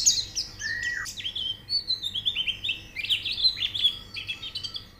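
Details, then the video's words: White-eye song used to stimulate a pleci to sing: a lower slurred whistle early on, then continuous quick high twittering with rapid up-and-down notes. "Terapi Pleci Cepat Gacor Buka Paruh"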